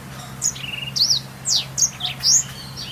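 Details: Canary used as a master song to train other canaries, Blackstroot style: scattered high whistled notes and sweeping chirps, rising and falling, over a steady low hum.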